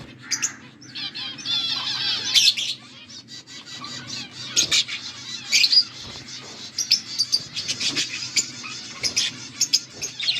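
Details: August 14, 2024 recording of pet budgies: busy chattering warble opening strongly, then scattered sharp chirps and clicks with brief pauses, a low hum running throughout.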